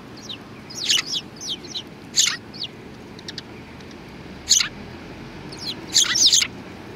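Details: Sparrows recorded 2 January 2019: bright, high-pitched chirps come in quick irregular groups, with louder double notes near the middle and the end, against a low background hum.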